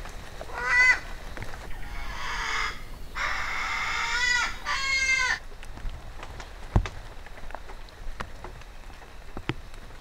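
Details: One of five young male 'Alalā (critically endangered Hawaiian crows) released into Pu'u Maka'ala Natural Area Reserve, Big Island of Hawai'i, on 14 December, gives four harsh, drawn-out, nasal calls rising and falling over about five seconds, then near quiet with faint clicks and rustles.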